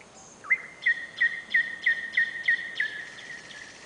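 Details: July night in Novosibirsk city, a nightingale sings into a camera: a rising note, then a steady series of about eight loud whistled notes, roughly three per second, with buzzy overtones.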